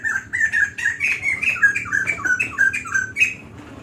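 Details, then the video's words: Long singing of a White-crested laughingthrush, quick repeated slurred chattering phrases rising and falling slightly, loud and continuous, with a light background hum. "Burung Poksay Jambul Putih Gacor Panjang"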